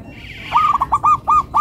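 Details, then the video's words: Local zebra dove (perkutut lokal), a kept songbird, giving a melodious phrase: a series of short rolling cooing notes around one pitch, repeated in quick succession after a brief high soft sound. "Perkutut Lokal irama merdu, suaranya bikin adem ayem"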